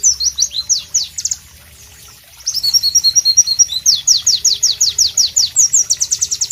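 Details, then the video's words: White-eye known as Pleci: a few sharp high whistles, a pause, then a long burst of buzzy twittering and fast repeated down-slurred notes in a loud, rhythmic masteran song. "Masteran Pleci Bird Sounds Loud, Sharp and Melodious"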